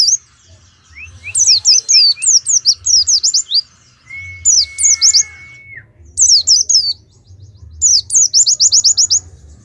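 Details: Bursts of rapid, high, downslurred twitters from a caged Oriental white-eye at a songbird contest in Pemalang, Indonesia, with a run of rising chips, a drawn-out steady whistle, and quiet gaps between phrases.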